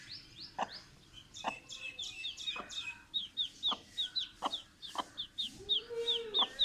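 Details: Hen calling her chicks with evenly spaced low clucks. Over them comes a dense stream of high chirping from the chicks that grows busier toward the end, with one longer, lower, arching cry near the close.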